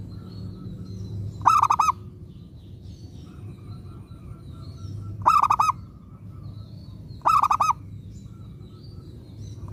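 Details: Local zebra dove singing actively, kept as a lure to draw replies from other zebra doves; three short rolling cooing bursts of quick pulsed notes, spaced irregularly several seconds apart, with low rumbling background noise.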